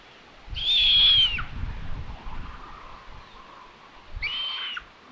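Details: Common buzzards at a nest in Tiszalök, Hungary, filmed by a solar-powered nest camera on 27 May 2022 as the mother delivers a chick as prey. Two high, thin, slightly falling whistled squeals sound about three seconds apart over soft background rumble.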